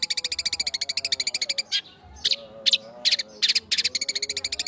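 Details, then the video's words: Long-tailed shrike lure song to provoke singing: fast rhythmic rattles of rapid clicks open and close the passage, separated by loud harsh squawks, over faint low tones. "Cendet Speed rapet - PANCINGAN CENDET"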